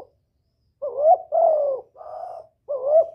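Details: Spotted dove giving lure coos to attract a male and rouse a decoy bird: a rising hoarse note into a long falling coo, a flatter softer coo, then another upswinging note.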